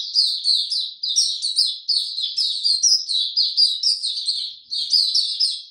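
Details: White-eye in full song during warm, very humid weather on 26 March 2022: energetic, high, sweet warbling chirps strung together in rapid rhythmic bursts, with quiet surroundings.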